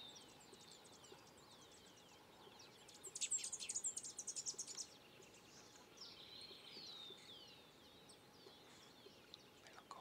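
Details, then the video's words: Collared Warbling-Finch in Peru gives a quick, high two-second burst of twittering, chattering notes with thin descending whistles over steady background hiss. "Collared Warbling-Finch"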